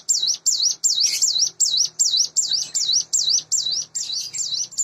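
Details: Sunda bush warbler kept in a cage, raised from a nestling and about eight months old, giving fast high dipping whistles in the morning, some notes doubled or blurred, with a soft low hum behind.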